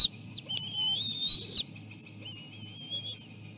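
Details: Bald eagle chicks at the nest being fed seal placenta by their mother after little food all day. A long, thin, wavering whistle rises slightly, then fades into a quieter trailing whistle over a steady low hum.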